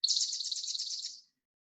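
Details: Spotted towhee in spring on Protection Island gives one dry, buzzy trill lasting just over a second, high and fairly even in pitch, with no other sounds.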